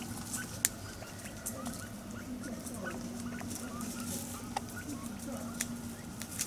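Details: Five Taiwan hill partridges, a family group, happily searching for food at Dashue Mountain National Park, Dong-xi District, Taichung City, 18 January 2021; many brief, quiet chirps dotted throughout, over rustling footsteps in leaf litter and a faint low drone.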